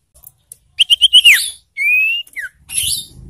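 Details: Ashy tailorbird call, played to provoke and stimulate birds in breeding condition: a quick run of sharp, bright whistles ending in a downslur, then a long, steady, slightly rising whistle and a short falling note.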